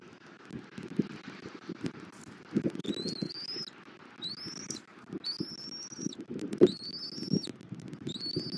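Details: Bald eagle at a nest in Southwest Florida during a morning feeding of the chick, 21 January 2024. Five thin, high, upslurred piping calls come roughly every 1.2 seconds over soft low thumps and rustling from the nest.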